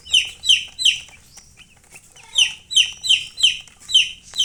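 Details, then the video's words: Baby chicken chicks chirping: loud, high, descending peeps in quick runs of two or three, a brief lull, then a steady series of about five peeps each under half a second apart. "Baby "Chicks Chirping" Sound"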